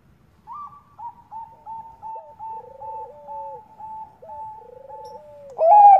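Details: Zebra dove of the Bangkok type, a female calling to a male as a lure. Clear, rapidly trilled coos drop and then hold level, set against short repeated higher notes in a quiet setting, and a louder burst comes at the end.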